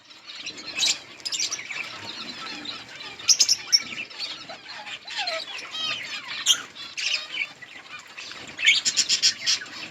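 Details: Budgerigar colony feeding on green leaves, giving scattered chirps and warbled twittering, with short sharp bursts near the start, middle and end, and quieter chatter between them.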